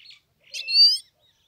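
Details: A Himalayan goldfinch in song utters one drawn-out, nasal, buzzy note, slightly rising and then steady, after a faint short chirp.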